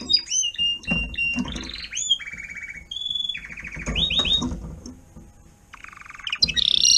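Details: Timbrado canary, adult tutor teaching young canaries: varied whistled tones and buzzy rolling trills at changing pitches, with a low rumbling background.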